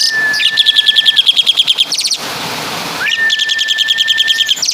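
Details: Asian pied starling, a Javanese bird, singing a full mimicked repertoire of other birds: a long steady whistle followed by rapid pulsed buzzy trills, a pause, then the whistle and trill sequence again.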